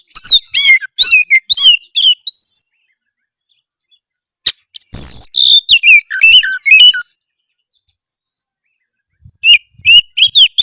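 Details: An Oriental magpie-robin's harsh song for provoking rivals: strings of descending whistled slurs and grating notes, a sharp click amid silence, a rich varied phrase of swooping whistles, then a short closing burst.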